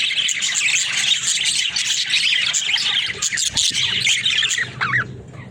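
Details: Pet budgerigars twitter and warble densely, and one clear rising-and-falling whistled squeak stands out near the end.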